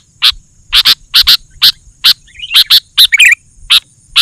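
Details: A lively Sooty-headed bulbul, recorded to draw wild bulbuls: short clipped chirps, single or doubled, at uneven intervals, with a brief jumbled twitter midway and a soft low rumble beneath.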